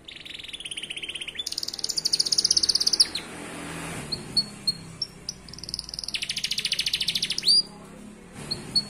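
A canary sings rapid trilled rolls, buzzing at very high pitch, broken by short sharp upward chips before another fast trill begins.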